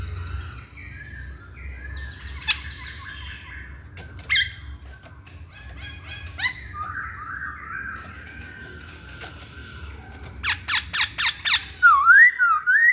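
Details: Hwamei song of varied phrases: scattered chirps and slurred whistles, a run of rapid repeated notes, then loud sweeping whistled phrases at the end over a low background hum.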